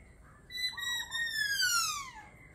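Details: Laughingthrush voice: one long, pure whistled note that holds steady and then slides smoothly downward, over a faint background hiss.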